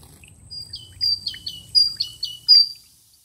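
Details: Great Tit song stanza, a variation on the basic syllable pattern: high, clear two-note phrases, each a bright note sliding down to a lower one, given about five times in quick, slightly uneven succession over a faint low rumble.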